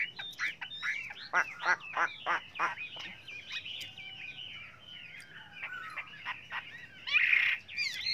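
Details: Chinese hwamei singing a many-voiced song for training other hwameis: a rapid series of sharp clicking notes and short whistles, softer slurred notes in the middle, ending with a louder burst.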